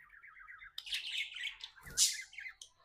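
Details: Contented pet budgerigar giving a wavering, trilled chirp that runs into busy scratchy chatter, then a sharp loud squawk-like burst and a few final twitters, over a faint steady background hum.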